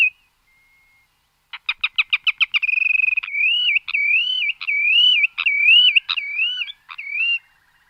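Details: Calls of the bird locally named kayra kheni: a short whistle, silence, then a quick burst of sharp staccato notes running into a long wavering, yodel-like whistle that undulates up and down and ends abruptly.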